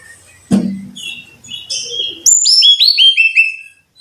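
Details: Brown-chested jungle flycatcher training song for caged birds: after a thump and some softer mixed notes, a loud run of high, clear whistles descending in quick repeated steps.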